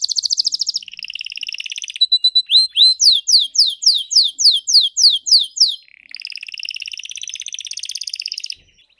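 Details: Canary singing in quick changing phrases: a buzzy trill, a run of rising whistled notes repeated about three per second, then a rolling high trill.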